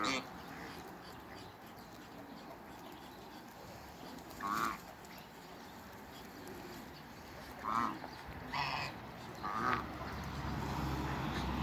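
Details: African geese meeting a dog. Three loud, harsh, nasal honks stand out at roughly 4.5, 8 and 10 seconds, each short and emphatic, over a constant rumbling background noise.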